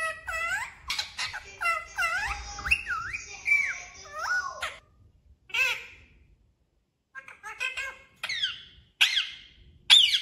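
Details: Parrot mimicking the words "mummy papa": a rapid run of shrill, voice-like syllables with swooping pitch, a quieter stretch, then a few sharper squeaky words at the end.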